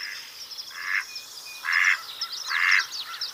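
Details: Three loud, raspy quacks from a mallard duck, roughly one per second, with high chirping songbirds continuing in the background.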